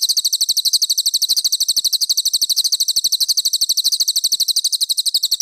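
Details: [1, 'Cililin master song recorded for training competition songbirds such as magpie robins and shamas: dense, sharp, clear high chirps fired in a rapid, steady run of about three notes per second, continuous throughout.']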